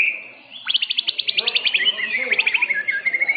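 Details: Blorok white-rumped shama, caged first-place winner at an Indonesian bird-song contest, holding a steady whistle and then breaking into a rapid rattling run of sharp repeated notes ending in rising whistles.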